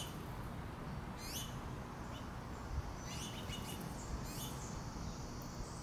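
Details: Baby finches asking their mother for food, giving high, sharp rising chirps in short bursts, some clustered together, against constant low rumbling noise.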